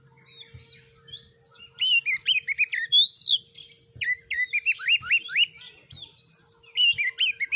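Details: Kept oriental magpie-robin singing energetically as a tutor for other birds: a loud arched whistle, then series of rapid upslurred notes repeated in bursts, with scratchy high twitters between and a faint low hum behind.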